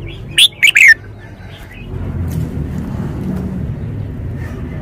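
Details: Red-whiskered bulbul performing its song style, each note emphasised: an early loud phrase of three sharp descending whistles, followed by a faint note and a steady low rumbling background.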